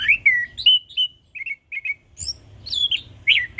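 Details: Orange-headed thrush in ngeplong song: clear descending whistles, short doubled chips, then varied bright slurred phrases delivered quickly.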